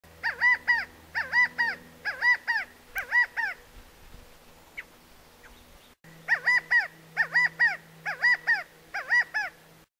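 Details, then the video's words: A California quail in Upper Laurel Canyon, Tilden Regional Park, gives a mating call: loud, clear three-note calls, the middle note highest, repeated about once a second over a faint low hum. "California Quail Mating Call"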